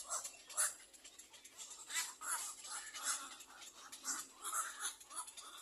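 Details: Little black cormorant chicks begging as they wait for their mother to feed them: hoarse, raspy calls repeated about twice a second, uneven in loudness, over faint crackling.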